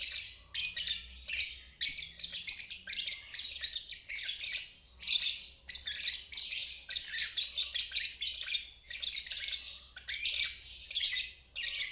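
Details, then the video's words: Lovebird ngeriwik, used as therapy for stalled birds and young learners. Harsh, fast, high chatter arrives in short dense bursts, roughly one every second, with brief gaps between. "Terapi Lovebird ngeriwik untuk burung macet dan balibu belajar bunyi"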